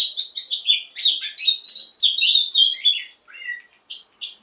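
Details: Rapid, varied warbling from a female Oriental magpie-robin urging males to sing, with chirps and slurred whistles packed closely together before thinning to a few sliding notes.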